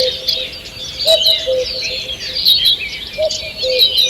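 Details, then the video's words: Morning birdsong in a forest, recorded 2 June 2023: a dense chorus of high twittering and chirping phrases from several birds overlapping, with a lower repeated cooing note pulsing beneath at intervals. "Утреннее пение птиц"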